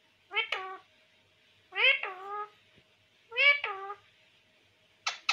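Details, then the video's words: Pet parrot, said to talk and say everything, indoors. Three harmonic, speech-like phrases, each about half a second long, come roughly every one and a half seconds, with a short burst at the end. "Parrot Talk Everything 🥰🥀🦜|Sb Kuch Bolne Wala Parrot"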